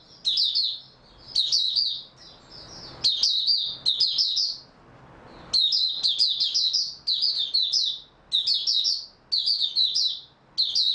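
Oriental white-eye giving bursts of high, rapid, jumbled twittering song, each phrase about a second long, repeated with short pauses; faint low hum in the background.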